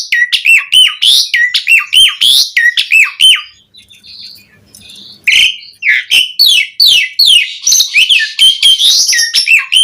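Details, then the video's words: Varied, rapid song of an Asian pied starling, used to stir other starlings into song: fast bursts of loud chattering, swooping whistles, a brief quieter pause, then dense jumbled phrases. "Suara Jalak Suren Langsung NYAUT buat Pancingan Mendongkrak Emosi Burung Jalak Agar Gacor Full Isian"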